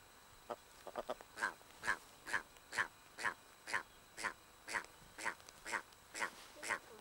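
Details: Red grouse near a nest in the Cheviots, reacting to people close by: a run of harsh, throaty notes repeated about twice a second, first quick and uneven, then steady and evenly spaced, with little background sound.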